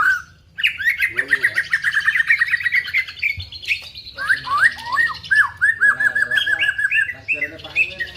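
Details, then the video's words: Loud, rich song of a white-rumped shama with female prinia imitation: long runs of rapid repeated whistled notes, downslurred whistles and quick chattering trills with scarcely a pause. "Muray batu isian prenjak betina"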